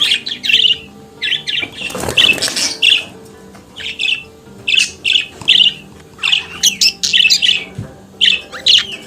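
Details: Pet budgerigar chattering and singing: clipped scratchy chirps and squawky warbles in short bursts, with faint low tonal background sound throughout and a brief broadband rustle early on.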